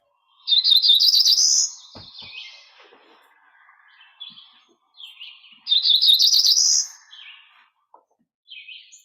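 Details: Cerulean Warbler, a species of conservation concern in New York State, giving two buzzy ascending trill songs about five seconds apart; each is a rapid run of high notes that climbs steadily in pitch and ends with a few softer trailing notes.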